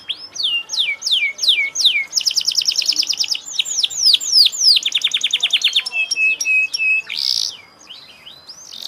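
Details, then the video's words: Canary in full song: series of loud downward-sweeping whistles, then rapid buzzy trills repeated several times per second, more swept notes and a sustained buzzy burst near the end. "kenari gacor"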